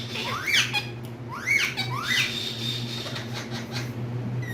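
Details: Caged green parrots indoors give three harsh rising-then-falling screeches spaced about a second apart, followed by quieter chatter, with a faint constant background hum.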